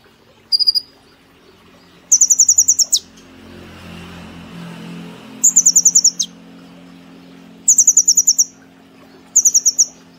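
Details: Brown-throated sunbird kept in a cage, in full rapid-fire song: five short bursts of thin, high, clipped notes fired off in quick series, with a low hum and murmur of background noise between the bursts.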